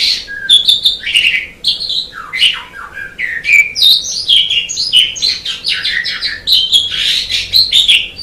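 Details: Rich, continuous Javan pied starling song of loud whistles, squeaks and rough chatter, jumping between high and lower slurred notes with hardly a pause.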